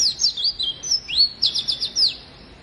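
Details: Energetic oriental white-eye, used to provoke lazy birds into singing, delivering high rapid chirps, upward sweeps and a quick rattling trill in one bright burst.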